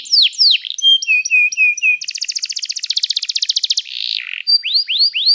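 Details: Canary singing as training material, a fast changing song: sweeping whistles, short repeated flat notes, then a dense buzzy trill about two seconds long, ending in rising upslurred notes.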